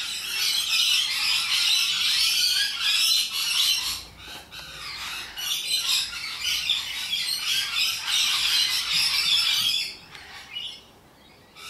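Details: Loud wild rainbow lorikeets in Australia: a chorus of piercing, scratchy screeches and chattering squawks, pulsing in bursts, then fading to quieter scattered calls near the end.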